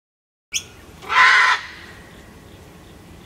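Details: Cranky Sulphur-crested Cockatoo, a regular wild visitor at a bird feeder, gives a single raspy, grating screech of about half a second after a sharp click, then quiet background.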